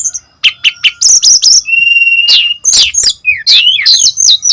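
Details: Brown-chested jungle flycatcher singing energetically, a lure recording to get others singing: clipped high chirps, then a long flat whistle, followed by tumbling, rising and falling slurred notes.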